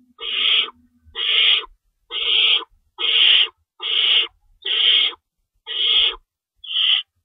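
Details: Harsh, breathy owl screeches from a nest at feeding time in the small hours of March 25, 2012, rabbits stored as prey. Eight even rasping bursts, close to one per second, steady and loud.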